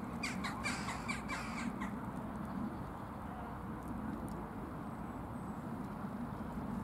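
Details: Hybrid crow showing unusual white feather markings gives a run of harsh, rasping caws, about five in quick succession over the first two seconds, then falls silent over steady low background rumble.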